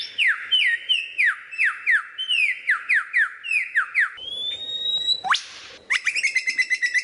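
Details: Lyrebird singing a variety of sounds: a steady run of bright whistles, each dropping in pitch, then a long rising whistle, a sharp upward sweep, and a burst of rapid chattering notes.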